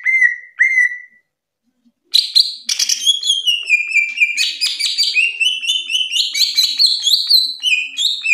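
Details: Greater green leafbird in full song for training kept songbirds, two rising whistles then, after a pause, a long rich, varied stream of sharp whistled and chattering notes with no break.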